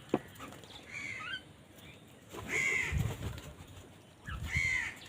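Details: Crows squabbling over food: three separate hoarse, drawn-out caws spaced about one and a half seconds apart, over steady background noise with low rumbles and a sharp knock at the start.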